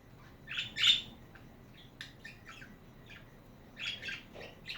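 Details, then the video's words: Chattering budgies: bursts of short, sharp squawks and chirps, a loud pair near the start, then scattered quieter chirps spaced irregularly over a low room hum. "Hours of chatting budgies"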